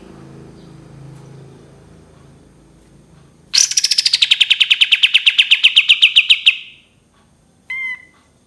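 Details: Cream-vented bulbul delivering a long 'tembakan' shot: a loud burst of quick, clipped notes that drops in pitch and then runs level for about three seconds. A short, lower whistled note follows after a pause, over faint low background hum.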